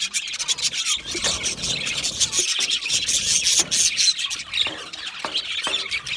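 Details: Budgerigars kept in an aviary chatter non-stop, a dense high twittering with squealing notes and sharp clicks scattered through it.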